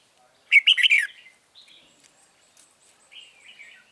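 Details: Red-whiskered bulbul, a newly trapped wild bird near a caged lure, 9 March 2020: one loud chattering burst of bright notes, followed by faint, thin warbles.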